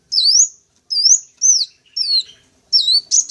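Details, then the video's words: Sunbird calls used as a lure to attract wild sunbirds: five thin, high whistled notes, each sliding upward then level, spaced about half a second apart, in a clean quiet background. "Suara Pancingan Atau Pikat Burung Kolibri Wulung, Kaca, Jentit Langsung Respon"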